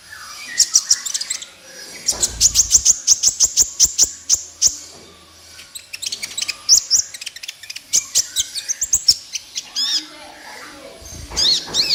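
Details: Kolibri ninja master song for luring and training silent caged birds: fast rattling bursts of very high clicks, bright sharp chips and trills in quick runs, strong and unbroken.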